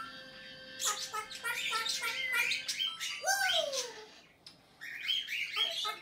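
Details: Pet African grey parrot in May 2019 runs through a quick series of squeaky chirps, then a loud swooping whoop that rises and falls, followed by more chattering notes.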